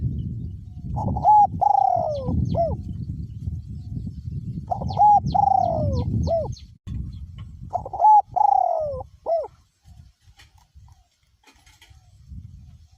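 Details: Spotted dove kept as a decoy bird, voice graded small to middle, cooing steadily despite strong wind. Three repeated phrases of a short note, a long sliding-down coo and a clipped end note, with heavy wind rumble throughout.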